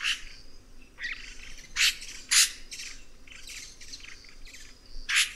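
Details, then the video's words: Red-rumped cacique giving rapid, harsh squawks and crackling chatter, several loud rasping bursts standing out among softer overlapping notes. "Canto do Guaxe - (Cacicus Haemorrhous)"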